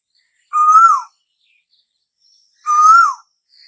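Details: Asian koel calling as summer arrives: two loud, drawn-out whistled notes that climb gently and then slur downward, about two seconds apart, with near silence between them.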